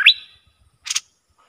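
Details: Bulbul worked up against rival birds: one loud, rising whistled note, then a short rough burst of notes and silence.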